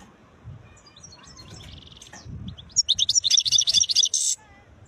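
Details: European goldfinch described as khlawi (wild), singing beautiful notes: after quiet scattered chips, a fast, high, tinkling burst of rapid twittered notes for about a second and a half, then silence.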